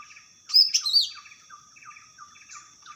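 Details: Greater green leafbird singing vigorously in the wild: a short loud burst of bright, sharp whistled and slurred notes lasting about half a second, over a steady background of fast repeated, falling chirps from other birds.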